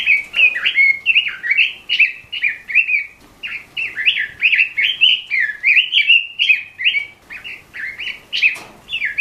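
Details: Red-billed leiothrix singing as a training recording for captive songbirds: a long, fast, continuous warble of slurred rising and falling whistled notes, about two per second, with brief pauses and a faint sharp click.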